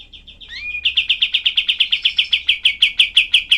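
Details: Kapas tembak, or cream-vented bulbul, in a tutor recording with a rough, dense 'tembakan' delivery. Light chirps and an upslurred whistle precede a rapid chain of loud, rasping chips that swell and pulse evenly.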